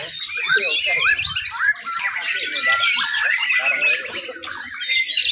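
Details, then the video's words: White-rumped shamas (murai batu) competing in a class B singing contest at an event in Mimika, Papua: a dense tangle of overlapping whistled and chattering phrases from several birds, with faint human voices underneath. "MATERI FULL ISIAN vs ROLL TEMBAK AUTO JUARA.??, BIRD CONTEST MURAI BATU B"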